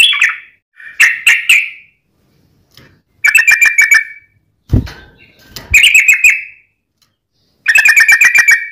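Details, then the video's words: Sooty-headed bulbul song played as a lure to get other bulbuls singing; short bursts of rapid bubbling chirps separated by pauses, with a brief low thump partway through. "trucukan gacor ROPEL PANJANG buat pancingan trucukan agar bunyi"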